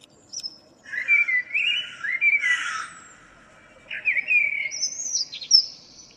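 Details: Morning song of a local common blackbird, recorded 2 April 2013: two fluted, warbling low phrases, each ending in a thin high squeaky flourish, separated by a short pause.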